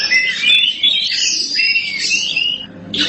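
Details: Oriental magpie-robin, black form, singing a short burst: high sustained whistles and rapid warbled notes in a near-continuous flow, with no voices heard.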